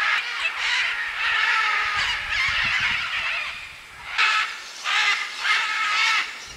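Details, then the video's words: Macaws at a clay lick in Peru's Manu rainforest, among many other birds: loud raucous harmonic squawks in bursts, a long chorus, a brief lull, then three separate harsh calls in close succession. "Macaw clay lick"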